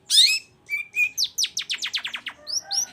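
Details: Vigorously singing long-tailed shrike used to provoke silent shrikes into song: a scratchy opening note, two flat whistles, then a quick run of steeply falling whistled slurs and a couple of rising squeaks.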